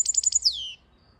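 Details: Short goldfinch song fragment: a quick string of about five high chirps followed by a thin, descending slurred whistle, then silence.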